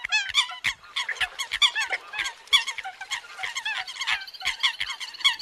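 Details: Eurasian coots in the new migration season, many birds giving rapid high nasal honks and squeaky notes in a thick overlapping stream, punctuated by sharp ticking clicks.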